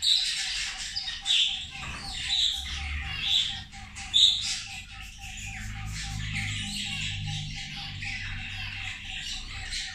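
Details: Zebra finches at their meal: short, bright, high chirps, several in quick succession early on, then softer background twittering over a constant low hum.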